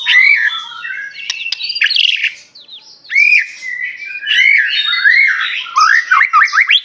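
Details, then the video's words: Song of an Aceh white-rumped shama with luxurious mimicry fill: looping whistled phrases, brief silence mid-way, then sweeping up-slurred notes and a rapid series of sharp descending chirps. "murai batu aceh,isian mewah gaya mantap"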